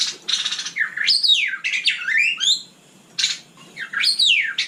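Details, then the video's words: White-rumped shama singing at night, a captive songbird: loud harsh buzzy bursts alternating with sweeping slurred whistles rising and falling, the phrase repeated after a short pause. "Kicau malam murai batu super GACOR"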